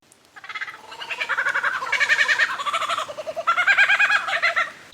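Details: Lyrebird in a silent forest imitating a kookaburra, convincingly enough to fool the original: a loud, rollicking chorus of rapid, throaty hoots and cackles, about three pulses a second, rising and falling in bursts.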